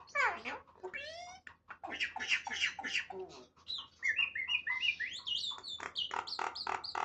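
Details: A talking myna gives a varied run of calls: harsh rasping notes, quick rising whistled sweeps, then a string of bright chirps and clear whistles, over a faint low hum.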